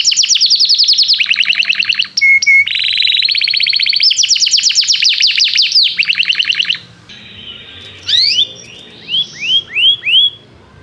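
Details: Canary singing in an energetic, hot style, used to coax young canaries into learning song: fast rattling trills and buzzy runs at high pitch, a brief pure whistle, then a quieter tail of separate rising upslurred notes.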